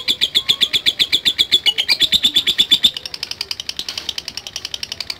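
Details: Lovebird answering a lure recording with 'ngetik' ticking: quick high clicks repeated rapidly, loud for the first three seconds, then continuing softer and slightly faster to the end.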